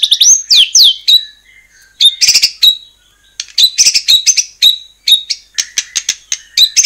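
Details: White-rumped shama in energetic song, played to make other shamas answer: fast sweeping whistles, clusters of sharp high chips and short varied phrases with brief gaps.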